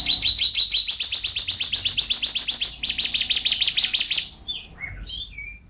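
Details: Champion canary, from a national-level singer collection, delivers long even trills of fast repeated notes that shift to a slightly higher, denser series midway, then ends in a few scattered whistled slurs.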